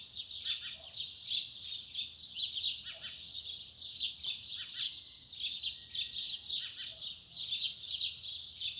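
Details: Double-collared seedeater delivering its tui tui zel zel song in the morning: dense, continuous high buzzy twittering with rapid chattering notes, one sharp click, and faint low background rumble.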